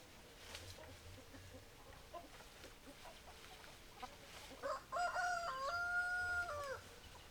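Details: Roosters and hens at feeding time; a rooster gives one long harmonic crow lasting about two seconds, rising and then holding level before dropping. Soft clucks and pecking taps come before it.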